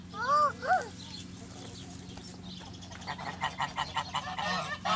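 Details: Geese on a farm shared with chickens in spring: two short, clear, rising-falling honks open the clip, then softer scattered calls and farmyard rustle.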